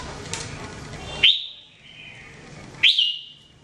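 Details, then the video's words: Jambul or red-whiskered bulbul in song training, giving two loud upward-swept whistled notes about one and a half seconds apart, each trailing off in a level tone, after a noisy start. "Training Jambul bird singing everyday 2017"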